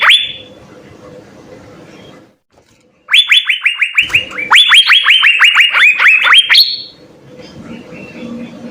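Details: Asian fairy-bluebird in full, vigorous song meant as a tutor recording: a faint whistle, a pause, then a three-second burst of rapid rising whistles with a higher held note, fading back into low background hum.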